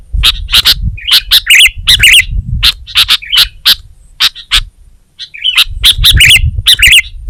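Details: Energetic sooty-headed bulbul song made of rapid squeaky chirps and short twisted whistles in bursts, with a brief pause around the middle before the chattering resumes, over a soft low rumble.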